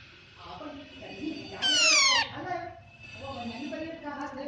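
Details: Baby parrot feeding itself gives a single loud, raspy, harmonic call that slides downward for about half a second, over a background of murmuring human voices in a room.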